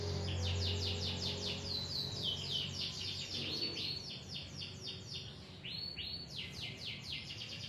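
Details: Canary song, played as a lure for young or lazy canaries, quieter: rapid high trills and repeated downward slurred notes over a steady low hum and background noise.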